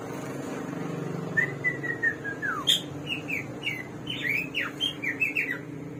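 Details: A slow, descending run of soft whistles from the hwamei, locally samyong or garuwa, bird of 1001 voices, leads into a lively jumble of sharp, upslurred and downslurred whistles against a steady low hum.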